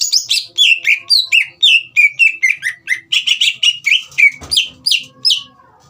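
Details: Green leafbird singing vigorously, used to provoke a young speckled bird into song: a fast unbroken string of loud whistled notes, many sliding downward, about three per second, ending with a brief clack and fading.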